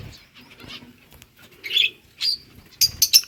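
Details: Budgerigar flock chirping: scattered short warbling chirps and squeaks, rising to loud clustered bursts near the end, with a few soft clicks between.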